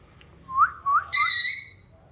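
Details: A talking parrot whistles three quick rising notes, then gives a sustained, rich, nasal harmonic call lasting about half a second.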